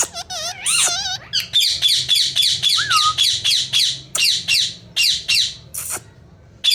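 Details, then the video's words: Pet Indian ringneck parrot indoors, opening with warbling whistled notes, then a fast series of harsh, buzzy squawks repeated about once a second, with one short rising whistle in the middle. "Best ringneck parrot talking||mithu beta talking mithu mithu"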